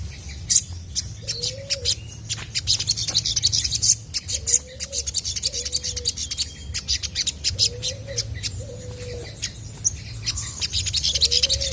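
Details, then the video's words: Chestnut-backed scimitar babbler, a local sogok ontong, in full song used to draw other birds into answering: low, hollow, arched whistles repeated at irregular intervals under a busy chorus of high chirping birds and a low rumble. "SOGON GACOR BIKIN BURUNG MANAPUN PASTI IKUT NYAUT!!!"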